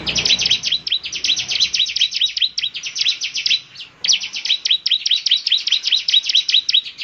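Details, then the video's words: Chatty bar-winged prinia singing to prompt other prinias to reply; nearly continuous rapid trains of sharp, high ticking chirps, about two or three per second, broken by one short pause midway. "Inilah suara ciblek GACOR paling di gemari, SEMUA ciblek pasti langsung NYAUT"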